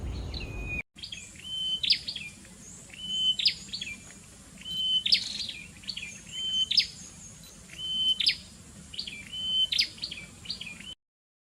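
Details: Hill prinias, a wild breeding pair, give sharp, high, clipped chirps in short groups repeated every second or two, with a faint insect hum behind.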